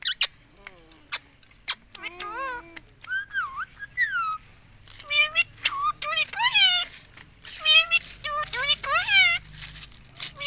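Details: Pet Indian ringneck parrot talking nonstop, repeating "mummy": a string of squawky, wavering, harmonic-rich utterances with rising and falling inflections, some bursts strung close together and others spaced by short pauses, indoors.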